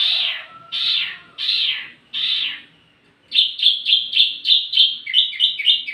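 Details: Wambi mini sounding as lure and tutor for tledekan: four rough, broad chattering notes, then a quick even string of short high tweets.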